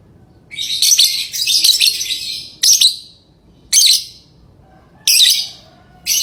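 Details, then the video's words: Lovebirds chirping: a two-second stretch of scratchy, high-pitched chatter followed by shorter sharp bursts about every second, all harsh and buzzy with no low tones. "Love bird singing & chirping sounds"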